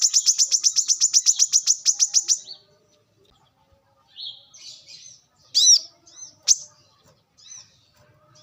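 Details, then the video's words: Brown-throated sunbird from the wild, used to lure and train birds: a rapid, even series of high, clipped notes lasting two seconds, then a pause and scattered sharp chips and short buzzy phrases. "kolibri kelapa | manggar | wiceh | pancingan korlap dengan suara asli alam liar gacor"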